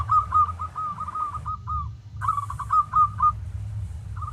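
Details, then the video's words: Local zebra dove song meant to coax other doves into singing: two rolling trilled coo phrases split by a short pause, each ending on a drawn-out note, with low background rumble and a brief hiss. "Masteran Tarik Perkutut lokal agar GACOR-Ampuh"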